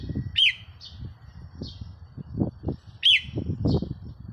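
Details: Decoy red-whiskered bulbul, 4 May 2023: two bright, quick up-and-down chirped phrases about two and a half seconds apart, separated by softer high notes, with steady low-pitched background rumble.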